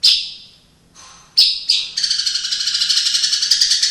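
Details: White-rumped shama, a kept bird, singing with imitations including sparrow and lovebird and canary calls: a high sustained whistle, brief pauses, then a rapid dense run of buzzy chattering notes near four per second.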